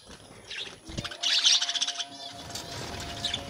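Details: Breeding colony of budgerigars with young birds newly out: a short, loud cluster of rapid, buzzy chattering notes in the middle, softer twittering before and after, over a faint steady hum.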